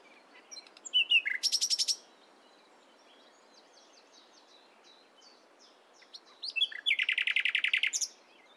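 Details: Two bursts of rapid buzzy notes from a nightingale in the morning, separated by several seconds of quiet with faint soft bird notes in between.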